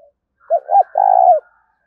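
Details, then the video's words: Single clear 'thúc' phrase of a spotted dove: two low, hooting notes rising and falling, followed by a longer, evenly pulsing, purring coo, with a brief, faint note just before. "Tiếng chim cu gáy thúc cực đỉnh vang cả buôn làng"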